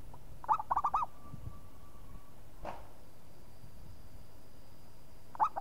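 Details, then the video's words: Local zebra dove in vigorous song: a quick run of five arched, hooting coos at the start, a soft thump midway, then a lone coo near the end. "SEKALI TUT LANGSUNG NYAUT PERKUTUT LOKAL GACOR"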